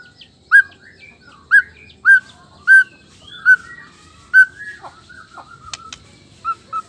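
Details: Male black-tailed Nias white-rumped shama, song to stir rival males; loud, well-spaced whistled notes about once a second, each a sharp slurred whistle, followed by softer twittering and a few clicks.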